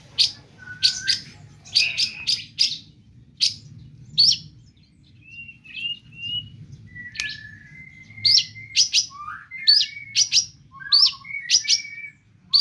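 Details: Long-tailed shrike in full song, packed with mimicked phrases: sharp high bursts and clicks, then thin whistled notes and level whistles near 2k, delivered in quick separated spurts, faint low hum beneath.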